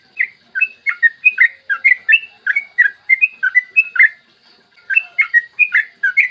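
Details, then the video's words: Lively yellow-vented bulbul song, clear and rapid, played in the morning to get other bulbuls singing; steady runs of short up-and-down whistled notes, a brief break, then more of the same. "PANCINGAN TRUCUKAN AGAR BUNYI burung TRUCUKAN GACOR ROPEL PANJANG"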